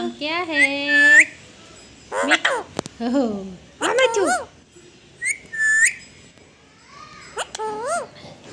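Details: Parrot mimicking speech and whistling: rising whistled calls and short harsh voice-like phrases in separate bursts with quiet gaps, indoors.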